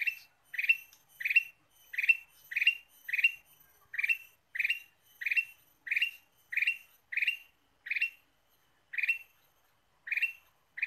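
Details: Ruby-throated bulbul, used to lure birds, delivers a long run of short chirpy bursts, nearly two a second. Near the end the bursts thin out and the gaps grow longer.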